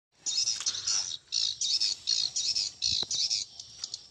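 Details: Swiftlets giving bursts of high, dry, buzzy chirps in quick, uneven runs, each burst lasting a fraction of a second, with brief gaps between them and a faint low rumble underneath.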